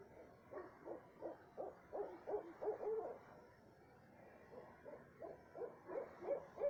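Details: An owl at night, 2:30 am, in south central Texas, gives two bursts of quick, evenly spaced hollow hoots separated by a brief pause. The second burst builds in loudness. Nothing else is heard.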